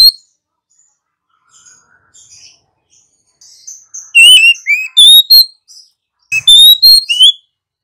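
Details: Female Oriental magpie-robin, a cage bird, singing to prompt other birds into song. Faint quiet warbling opens, then bursts of loud, bright whistled notes in quick sliding phrases, separated by short pauses.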